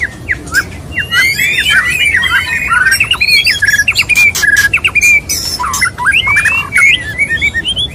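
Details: Male white-rumped shama courting a female delivers a rapid stream of chattering whistles, upswept notes and hard percussive clicks, with a brief sustained whistled note midway.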